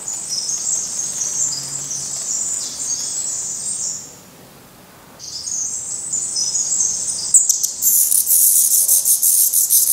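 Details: Black redstart fledglings at a nest in Portugal, still downy on the head and being fed by their parents after first flight attempts; thin, very high squeaky notes in rapid runs, pausing about a second midway, then louder hissy bursts.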